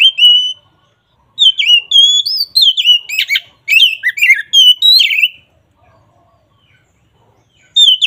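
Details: Oriental magpie-robin, called kacer in Indonesia, in full ngeplong song meant to lure a quiet bird into singing: loud clear whistles and slurred varied phrases in bursts, with pauses between, in a clean setting.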